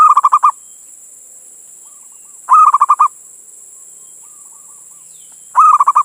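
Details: Local male zebra dove calling to a female: three bright runs of rapidly stuttered coos spaced about two and a half seconds apart, with quiet cooing fragments in the pauses.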